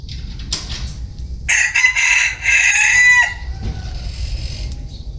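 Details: Crowing bantam cock: a short faint note, then one strong, coarse, drawn-out crow of under two seconds ending in a falling tail, over a low hum and thin high-pitched background whine.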